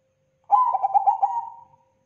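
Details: A crossbred zebra dove (perkutut) cooing in a long-duration song: a quick, stuttering run of about six soft, mid-pitched notes, then a drawn-out trailing coo, over a faint steady hum.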